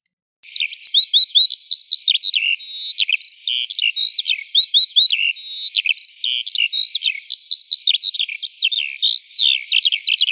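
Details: Eurasian skylark singing in the morning: a continuous, rapid, high-pitched warble of chirps, short trills and thin whistled notes, delivered without pause and varying constantly, with no other sounds heard.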